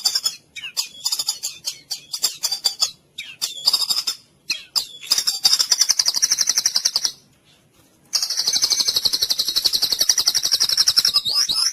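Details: Full cililin-style training song of a white-rumped shama: choppy quick chips give way to long rapid high trills, with one short silence between bursts.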